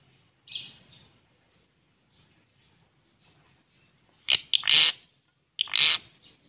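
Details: A pet white-rumped shama gives a brief, harsh high note, then after a pause two loud, rasping chattering bursts about a second apart, with a quiet background.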